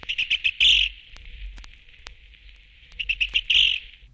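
Yellow Rail giving dry, clicking ticks in a quick pattern of two then three, like pebbles tapped together, repeated twice in four seconds.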